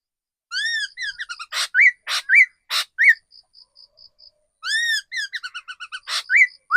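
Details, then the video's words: Mature forest decoy laughingthrush: an arched whistle followed by stuttering notes, interleaved with loud sharp broadband clicks and short upslurred whistles, then soft ticking; the whistle-and-stutter pattern repeats. "Tiếng chim khứu mồi già rừng"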